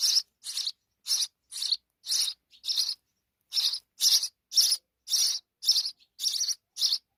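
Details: House sparrow chicks with their mother: a fast series of raspy high chirps, nearly two per second, with a brief pause near the middle.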